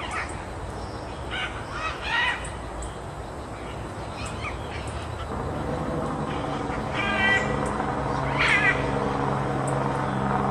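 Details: Great green macaws at Grand View Estates giving harsh, raucous squawks. Loud harmonic bursts come near the start and again toward the end, over a steady rumbling background.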